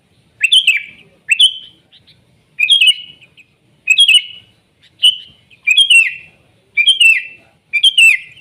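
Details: Sooty-headed bulbul recorded in the wild, a gacor singer: short bubbly whistled phrases that drop from high to lower pitch, repeated about every second with brief pauses, clean quiet background.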